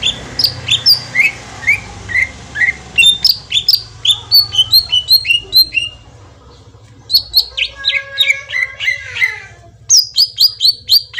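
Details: Green leafbird song used to lure a bird into answering: fast, varied whistles and chirps in dense runs, a short quiet gap midway, then more bright rapid notes.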